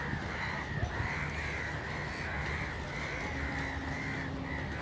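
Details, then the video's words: Crows cawing loudly, harsh raspy caws following each other almost without pause for the whole stretch, each about half a second long, over a steady low hum. "Loud Crow Noises, Kak Pakhi Sound, Kauwa Ki Awaaz, Kakkar Dak, Funny Crow Sounds"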